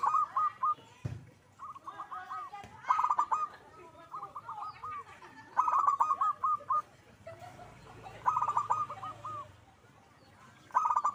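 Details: Zebra dove (perkutut) in lively 'gacor' singing: short bursts of rapid, stuttering cooing notes at a mid pitch, ending in a held note. Each phrase is repeated every two to three seconds with quiet gaps, and fainter cooing overlaps in the background.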